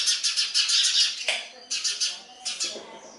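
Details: Baby sparrows begging as a parent brings food, giving quick scratchy chirps about five per second in bursts, separated by short pauses.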